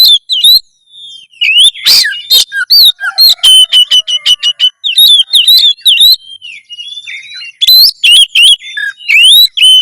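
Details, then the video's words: Loud Oriental magpie-robin song for raising breeding drive and fight mode, dominated by rapidly repeated sharp whistled notes with upward hooks, interspersed with harsh bursts and a few sweeping whistles, almost continuous. "masteran kacer gacor suara lantang menaikan birahi burung kacet ON tarung"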